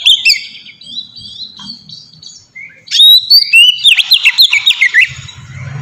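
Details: Oriental magpie-robin singing in the ngeplong manner, used as a lure for other magpie-robins: soft distant warbling at first, then a loud burst of fast twisting whistles, ending as a low hum rises.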